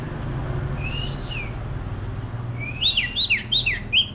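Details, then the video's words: Common iora, singing gacor in cetrekan style. A soft arched whistle is followed by a burst of loud, bright chirps rising and falling quickly, about four in a second, over a low background hum. "Burung cipoh / burung cipeuw / burung sirtu gacor cetrekan"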